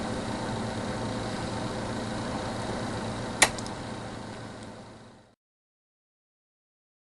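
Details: Engine-like hum and hiss with a single sharp click midway, fading out into silence for the last two seconds.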